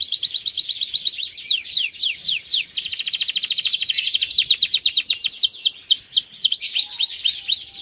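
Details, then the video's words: Male canary in full, vigorous song: an unbroken run of high trills that alternate between rapid buzzy rattles and slower, sweeping falling whistles, changing tempo several times over eight seconds. "kicau kenari jantan gacor"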